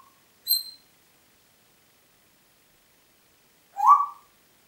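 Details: Congo grey parrot whistling at Diebach near Hammelburg, Germany, 4 April 2012: two short whistles about three seconds apart, a thin, high note with bright overtones, then a fuller, lower whistled note.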